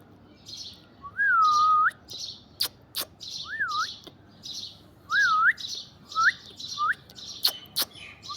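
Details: On an orange tree, an Alexandrine parakeet alternates loud curving whistles, rising then falling, with short gritty chirps, punctuated by several crisp snapping clicks.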